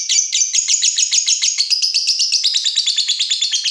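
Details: Fighter lovebird stirred up by the sight of a rival, pouring out a fast, unbroken chattering trill of rapid shrill notes, about two per second or more, steady and loud throughout.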